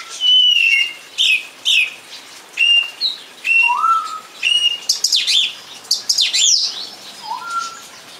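A song thrush sings a run of short, clear whistled phrases, some repeated in quick pairs, mixing high bright notes with lower rising slurs; no other sounds intrude.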